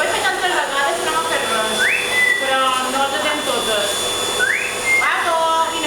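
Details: A pet yellow-crowned amazon (Amazona ochrocephala) gives two clear rising whistles about two and a half seconds apart, mixed with throaty, speech-like chatter and a steady background hum.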